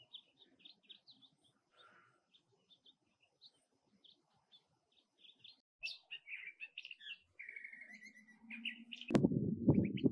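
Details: Curve-billed Thrasher (Toxostoma curvirostre), desert bird often perched on cholla cactus, giving a long run of quick, varied chirps and warbled phrases, growing louder midway, ending in a burst of rough noise; species has varied sounds and can mimic others.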